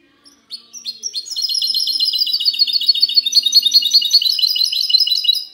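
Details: Goldfinch hybrid (mixto) delivering clean 'cante limpio' song, recorded 19 March 2020: a few opening notes, then a long, sustained, fast twittering trill of bright, high syllables.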